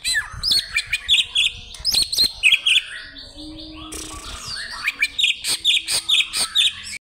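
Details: Greater green leafbird kept by a bird seller in Indonesia, challenging a rival with bursts of loud, clipped, high chirps in quick runs, broken by a brief rustling pause mid-way.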